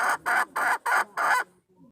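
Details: Wild red junglefowl hen calling to lure a male, for use as a decoy to attract wild junglefowl, recorded 26 March 2020: five loud, harsh clucking bursts about a quarter second apart, then a faint low trailing note.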